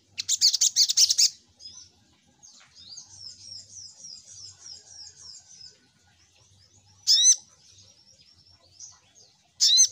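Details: Spiderhunter (sogok ontong) used as a lure call: a dense burst of rapid shrill chirps opens, followed by a soft, thin, high twittering run for several seconds, then two isolated loud sharp notes several seconds apart, with low hum beneath.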